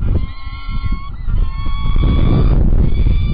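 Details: Male and female peregrine falcons at Illkirch-Graffenstaden, 17 April 2017, 9:28, calling with drawn-out, harmonic wailing notes, some held, some sliding, half-buried under heavy low rumbling wind.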